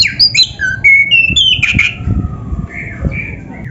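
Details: Kacer, or oriental magpie-robin, in lively tutor song for caged birds: quick stepped whistles jumping between pitches, a long clear note, then softer buzzy phrases, with low thumps and rumble in the background.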